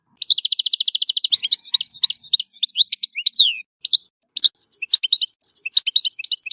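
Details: European goldfinch song recorded in Tissemsilt, beginning with a steady rapid trill, then tumbling into lively high twitters and slurred whistles with brief gaps.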